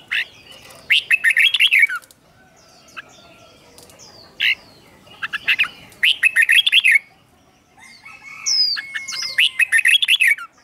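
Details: Caged red-whiskered bulbul singing a doubled teaching song for young birds: four bursts of rapid warbled notes a few seconds apart, with scattered sharp chips and a faint whistled tone between.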